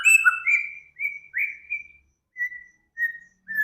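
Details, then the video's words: Clear whistling song from a master mix of Samyong, Kancilan Flores and Garugiwa for training cage birds: a few varied, overlapping whistles, then short level whistles spaced about half a second apart. "Burung Samyong, Kancilan Flores, Garugiwa Gacor"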